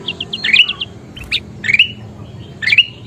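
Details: Golden bulbul (kutilang emas) in vigorous 'gacor' song, used for training other birds: a few short whistled notes, then rising, slurred whistles repeated roughly once a second, with a faint low hum underneath.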